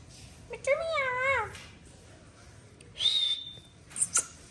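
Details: A hand-tame pet parrot talking: one wavering, harmonic voiced phrase lasting about a second, then a clear whistle that rises and holds steady, followed by two sharp clicks in a quiet room.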